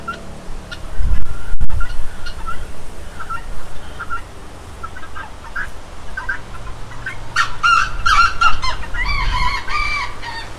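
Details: A rooster crows near the end, a harsh harmonic call with a strained, wavering tone, following scattered soft clucks over a steady low background rumble.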